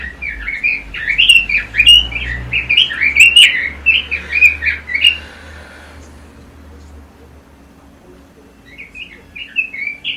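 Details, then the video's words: Caged Pekin robin, a competition songbird, pours out a fast string of warbled, rising and falling notes for about five seconds, then goes quiet before a few softer notes at the end, with low background hum. "Kicau Burung ROBIN"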